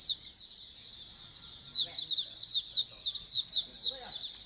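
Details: Flock of white-eyes (pleci) singing together, played to encourage birds to sing: soft high hiss-like twittering at first, then a run of sharper, louder chirps from mid-clip on.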